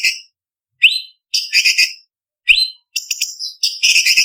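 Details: Leafbird (cucak cungkok) singing a training recording made for bird song contests. Brief upslurred whistles alternate with dense, buzzy, high-pitched chattering phrases, with short pauses between them. Clean background.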